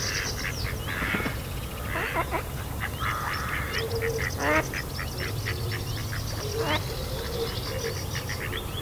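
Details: Female Mallard calling during rough mating at Kirriemuir RSPB, while another male attacks the mating male; harsh, nasal quacks in an irregular run, some short and clipped, others drawn out, over a steady low rumble of background noise.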